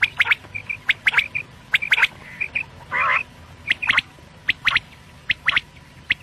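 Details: Morning quail calls used to lure birds: bright, short, sharp notes in pairs and triplets, repeated about once a second, with one harsh nasal squawk midway and soft chirps between.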